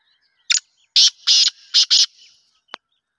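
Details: A black francolin in winter, 10 November 2023, gives its harsh, grating call: one short note, a pause, then four loud rasping notes in quick succession. A faint click follows.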